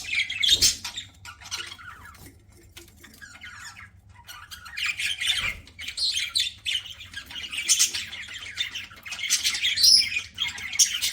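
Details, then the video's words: While eating, a pet budgerigar keeps up raspy, high chatter in waves of quick squeaky notes, with a brief lull around the middle and a couple of soft knocks. "PARAKEET EATING SOUNDS"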